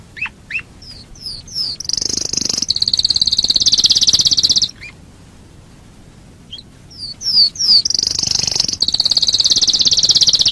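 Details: Domestic canary song used as a lure to get other canaries singing: a few rising whistled notes and quick chirps, then long, loud, buzzy high rolls lasting several seconds, broken by a short pause before another burst of chirps and rolls.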